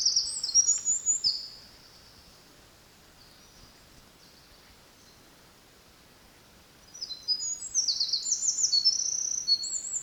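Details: Eurasian wren song at Kurokawa Keikanzan, Japan, July 2023: a burst of very high rapid trills, a few seconds of quiet, then another fast twittering phrase with sharp rising and falling notes.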